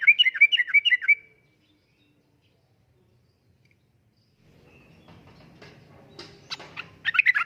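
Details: Lure and tutoring recording of a yellow-vented bulbul singing in the energetic 'uplik-uplik' style: a short run of bubbly warbled notes, then a long silence, faint low rumbling and scattered clicks, then the bubbly phrase returns.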